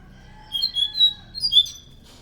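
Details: Brief, loud scaly thrush song used as a lure for other thrushes: two short groups of high, clear whistled notes over a faint steady background hum.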